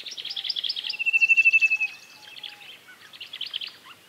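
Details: Minute hermit, a tiny forest hummingbird: dense, rapid high squeaky notes run together, a loud quick trill at steady pace in the middle, then more thin high chatter, with faint lower whistled notes behind.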